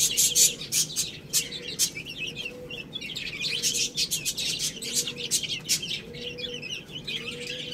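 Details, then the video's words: Feeding chicks on rice keep up loud high peeps and sharp pecking ticks, busiest at the start, with a faint low hum pulsing every second or so behind. "Cute Little Chicks Eating Rice | Beautiful Chicks Chirping Sounds"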